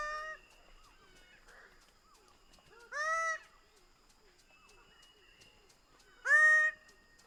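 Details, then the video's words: Greater bird-of-paradise giving two loud, nasal, harmonic calls about three seconds apart, each a short rising-then-level note, with faint chattering birds and insects in the background. "Greater bird of paradise sound"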